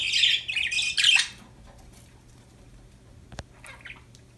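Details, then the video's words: Happy budgerigars in a quick burst of harsh, overlapping chattering squawks, then quiet with a single sharp click and a few soft scratchy notes. "Happy budgies chirping sound"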